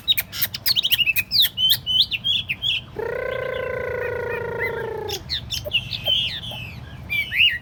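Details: Tame Chinese hwamei in a portable table cage gives fast, jumbled high whistles and clicks, breaks into a long harsh nasal drone lasting about two seconds, then returns to quick warbling whistles.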